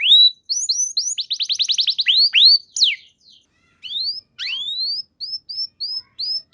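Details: Canary song used to encourage other canaries to sing: rising whistles, a rapid burst of trilled notes and sweeping downslurs, then sparse, spaced rising whistled notes after a short silence.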